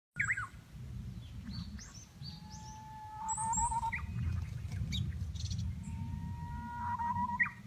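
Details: Japanese bush warbler singing in spring, 14 April 2019, at a planned building site in Japan: a long, steady whistled note that ends in a quick rising flourish, given twice, with higher chirps from other birds and a low rumbling background.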